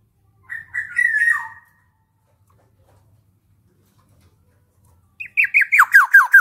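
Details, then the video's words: Black-naped oriole singing vigorously: a short warbled phrase of whistled notes, a long pause, then a fast series of about eight sharp, descending whistled notes. "Ada Podang Gacor"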